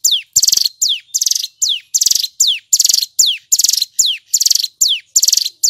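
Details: Male hill prinia (Prinia superciliaris) sings a loud, rapid series: high falling whistles alternating with harsh buzzy trills, about two phrases per second, without pause.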